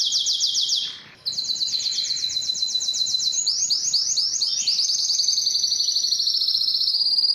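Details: Canary singing a fast trill, a brief gap, then long runs of repeated descending notes that merge into a smooth, sustained high roll.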